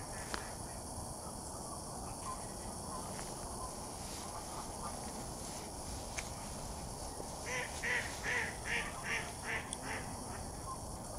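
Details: Mallards by a lake; after several seconds of quiet outdoor ambience with faint low rumble, a burst of about six quick, harsh quacks comes near the end, evenly spaced and fairly loud.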